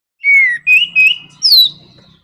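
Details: Orange-headed thrush in a fast 'nraktak konslet' style song used to provoke other birds into singing: four loud, clear whistled phrases, the first falling, the middle two slurred upward, the last high and sliding down, over a quiet low hum.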